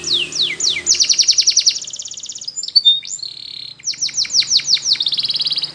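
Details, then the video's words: Spanish Timbrado canary in morning song for canary training: falling whistles lead into a fast, even rolling trill, a softer buzzy passage, then sharp downward strokes and another quick trill. "Canary TIMBRADO Singing In The morning"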